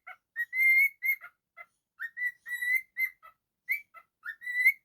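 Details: Pet cockatiel whistling a lively mix of long sustained notes and short chirps, some swooping upward, in an uneven rhythm with brief pauses.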